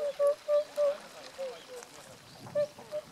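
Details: Adult Tundra swans calling on 1 January 2014: a rapid series of loud, short, clear nasal honks roughly every third of a second, then scattered softer honks over background flock chatter.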